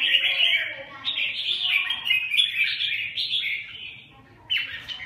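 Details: Red-whiskered bulbul song of quick, bright chattering and slurred notes run together for about four seconds, then a short gap and a fresh burst.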